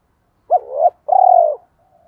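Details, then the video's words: Spotted dove coo used in training caged birds to call: a sharp accent note sliding into a rising slurred coo, then a long steady low coo, ending with a faint thin trailing tone. "giọng chim cu gáy thúc gù dồn ép bổi lười gáy ức chế phải gáy theo"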